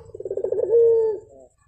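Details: Single coo phrase of a Javan turtle dove: a quick pulsing trill that smooths into a sustained level tone before fading.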